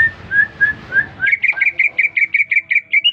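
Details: Recently bought caged greater green leafbird singing nonstop after being whistled at: a few slurred whistles, then a fast, even series of about a dozen bright repeated whistled notes.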